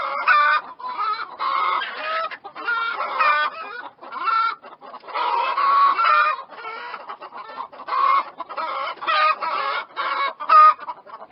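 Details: Several chickens of varied breeds cluck in a busy, overlapping babble of throaty, nasal notes, with louder clustered bursts separated by brief quieter gaps.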